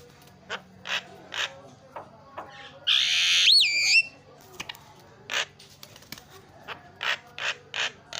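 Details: Lively Javan myna song meant to make other mynas start chattering: spaced harsh chack notes around a loud rasping burst with a looping whistle in the middle.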